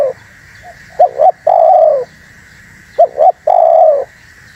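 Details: Spotted dove calling to lure wild doves and stir up others. Two phrases are heard, each a brisk double note followed by a long coo that dips at the end, with a low steady hiss in the background.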